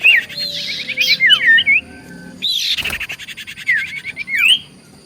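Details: Common iora song used as a lure to provoke other ioras into answering: quick looping whistled notes over a harsh buzzy chatter, a pause, then another burst of rasping notes ending in short rising whistles.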